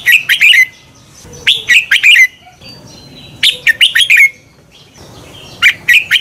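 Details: Red-whiskered bulbul song used as a lure to stimulate birds to sing in competition, a double-twist voice: short bursts of four or five loud, bright chirped notes with falling slurs, repeated about every two seconds.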